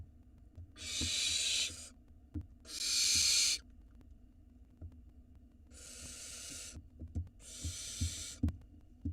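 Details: Barn owl nestlings in Israel screech for food brought by the father, four harsh hissing bursts in two pairs separated by a pause, with light tapping and rustling.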